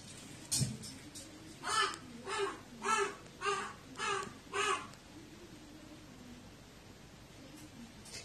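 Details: Crow calling in a way described as its lonely voice, recorded 20 January 2018: a run of six hoarse, evenly spaced caws about every 0.6 seconds, then quiet background.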